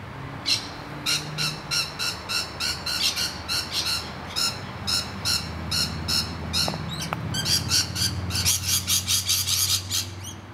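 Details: Rainbow lorikeets screaming as they defend their hollow against noisy miners. A continuous run of short, grating squawks comes at a fast, uneven pace and grows denser near the end, over a low background rumble and one sharp click.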